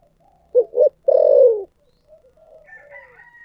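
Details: Spotted dove in the 'thổ sấm' voice style giving two brief low coos and then a sustained, gently falling coo. Faint, higher chirping from another bird follows after the phrase.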